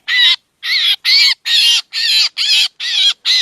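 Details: A short bout from a black drongo trapping lure: eight grating, noisy squawks with faint rising tones inside, one longer pause after the first, then a steady series of about two and a half calls per second.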